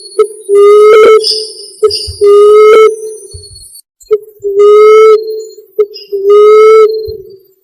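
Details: Common emerald dove, recorded as a trapping lure, giving four loud, drawn-out, slightly rising moaning hoos, each about a second long and each preceded by a short soft note.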